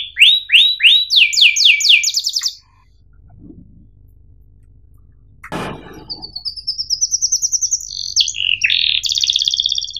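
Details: Canary song used as a training recording for young birds to learn from: fast rolling trills of sharp high notes for over two seconds, a pause with a faint thump, then buzzy high trills and chattering phrases resume.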